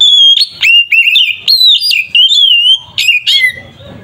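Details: Oriental magpie-robin delivering its provoking fight song: a continuous loud whistled warble with repeated steep upward flicks and wavering held notes, fading at the end.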